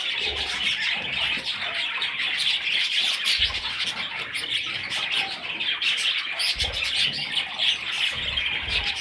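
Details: Baby parrot chicks giving a continuous high, scratchy chirping chatter, many overlapping rapid notes with occasional soft low thumps.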